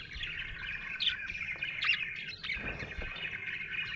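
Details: Budgerigar chirping happily, a steady run of twittering and scratchy warbles with brief sharper chirps standing out at irregular moments.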